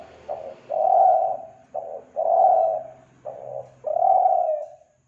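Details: Spotted dove lure call from Kelantan: deep, breathy coos alternating short and long notes, a long coo roughly every one and a half seconds, with a quiet low hum behind.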